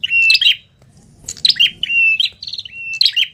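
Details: Wild ashy tailorbird giving its noisy 'tenes ribut' call: bright, high chattering bursts, each ending in a short steady whistled note, about five phrases in quick succession with a brief pause midway.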